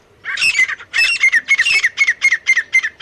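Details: Male and female partridge (teetar) giving a rapid series of harsh, ringing squawks, about four per second, each note sharp and grating, continuing steadily without pause.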